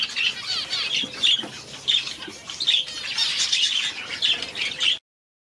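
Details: One-day-old Society finch babies hand-fed without a syringe. There are shrill, scratchy cheeps in clustered pulses, roughly one burst every half second, ending abruptly in silence.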